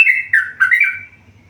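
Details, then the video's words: Short burst from a tame yellow-vented bulbul: three or four bubbly, slurred whistles run together, then the song fades into a low background hum. "burung trucukan gacor jinak"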